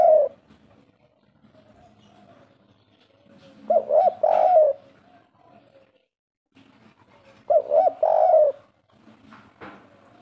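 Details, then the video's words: Local wild-type spotted dove (tekukur) calling vigorously in the 'kuk 3' style: two low cooing phrases, each a quick run of rolling coos ending in a drawn-out note, about four seconds apart, with faint background noise. "suara tekukur derkuku kuk 3 asli lokal alam full ngamuk"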